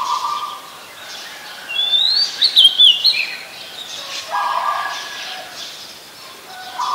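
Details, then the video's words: Oriental magpie-robin, a common resident bird, singing at Ubon Ratchathani, Thailand, 28 October 2021, Nikon P1000 recording: one clear phrase of rising and falling whistles with quick twisting notes mid-clip, against faint outdoor background noise. "นกกางเขนบ้าน Oriental Magpie Robin (singing)"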